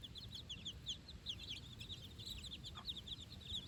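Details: Baby chickens, four days old, on fresh grass with the mother hen for their first time outside; a steady stream of high, thin cheeping notes from several chicks, one faint tap midway.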